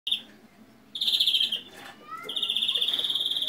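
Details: European greenfinch giving a faulty transitional song; loud, buzzy, rapidly pulsed rattling trills at high pitch, broken by a pause with a few thin rising notes, then a long steady pulsing trill.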